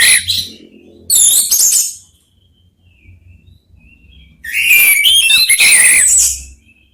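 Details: Orange-headed thrushes, three of them answering one another: two short, loud warbling bursts, a quiet gap with soft distant notes, then a longer rich phrase of whistles and chatter over a low hum.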